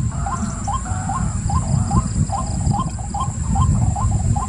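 White-breasted waterhen repeating short, upward-flicked kwak notes about twice a second, over a heavy low rumble and a steady high insect hiss.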